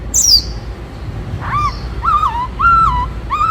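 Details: A varied song by a black-throated laughingthrush, the forest laughingthrush of many voices: a high thin descending squeak, then four mellow whistled notes, each level and then dipping at the end, over a soft background hiss.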